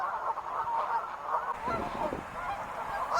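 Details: Wild geese calling together, overlapping honks in a constant chorus, with a low rumbling noise joining in the second half.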